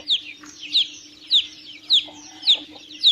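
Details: Chick peeping, clear and spaced: six loud, high notes that drop in pitch, spaced about half a second apart, over a faint low hum.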